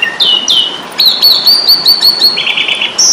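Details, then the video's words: Fighting song of an Asian pied starling, or jalak suren, from an Indonesian bird-training recording: two squealing downslurs, then a steady run of piping whistled notes and a rapid trill. "Masteran jalak suren ,pasti tarung"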